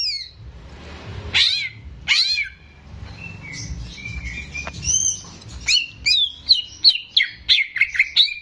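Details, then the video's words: Greater green leafbird, the owner's caged bird in active song, recorded to teach young birds: loud downward whistle sweeps, then a quickening series of chirpy whistled notes at roughly one and a half per second. "CUCAK IJO GACOR"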